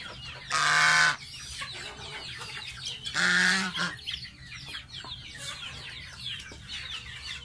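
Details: Baby pet domestic goose in its bath: two loud, harsh, nasal honks about three seconds apart, each roughly half a second long, between softer high peeping notes.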